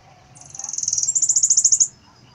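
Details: Sibite singing in an unusual way; a high, thin trill that starts with a few sharp notes, then speeds into a rapid buzzy rattle of about twenty pulses over roughly a second and a half, with faint low background noise.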